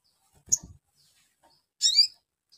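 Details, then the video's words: Sunbird (sogon) on a lure recording of a bird quick to respond: a thin high note mixed with a low thump, then a quick, high twittering burst lasting about a third of a second. "PANCINGAN SOGON BAHAN CEPAT NYAUT"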